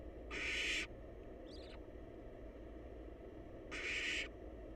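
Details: Wild barn owl chicks sharing a nest box while waiting for a meal: two breathy hissing screeches about three seconds apart, with a faint brief chirp-like sound between them and soft low hum throughout.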